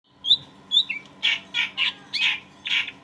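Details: Greater green leafbird, a caged bird in top singing form, used as a tutor to stir a heavily stressed leafbird: two high whistled notes, then a run of bright buzzy bursts near the top of the range, about two each second.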